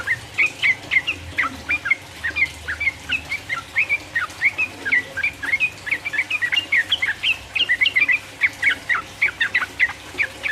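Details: Energetic sooty-headed bulbul song, 'ropel uplik uplik' style, used to stir up rival birds: long unbroken string of sharp, bouncy chirped notes at an even rapid pace; faint hum behind.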